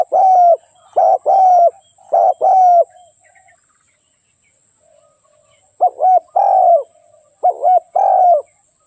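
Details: Spotted dove kept as a decoy for trapping: a burst of three quick cooing phrases, each short notes then a longer falling coo, a pause of several seconds, then two more phrases.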